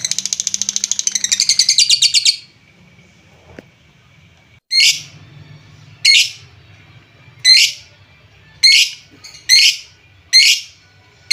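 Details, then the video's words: Lovebird sound used to rouse less active lovebirds: about two seconds of fast, shrill rattling chatter, a pause, then six rasping screeches spaced roughly a second apart. "Suara pancingan lovebird, menaikan emosi lovebird Bahan/Antau kurang aktif"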